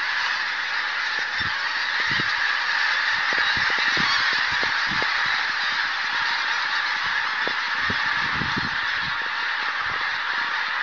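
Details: Flock of pink-footed geese taking flight near Martin Mere after a buzzard put them up; a continuous wall of many honking, yelping calls overlapping without pause, with faint low thumps beneath.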